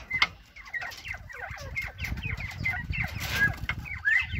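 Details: Northern bobwhite quail chattering: many overlapping soft, curved chirps and short downslurred notes from several birds at once, with a steady low rumble and hiss underneath.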